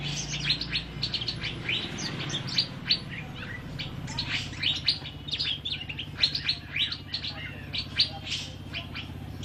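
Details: Actively singing Asian fairy-bluebird, recorded as training material for cage birds: a dense stream of high, chirping and whistled notes in quick succession, with a low rumbling background throughout.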